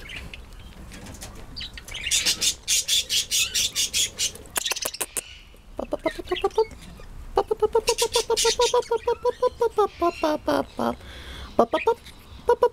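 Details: Female Quaker parrot, a pet of about six years, chattering loudly indoors: rapid rasping pulses, then strings of fast nasal, buzzy notes repeated in short bursts, with brief pauses between runs.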